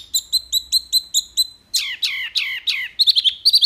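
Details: Wambi song in rapid 'tembakan' bursts, used as tutor audio for caged songbirds: a run of evenly spaced high chirps, then loud descending slurred notes, ending in quick sharp trilled pips.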